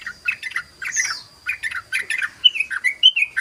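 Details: Ropel song of a sooty-headed bulbul, used to lure other bulbuls: dense, chattering bubbly notes tumbling quickly, ending in several clear downslurred whistles, with a faint steady electronic whine.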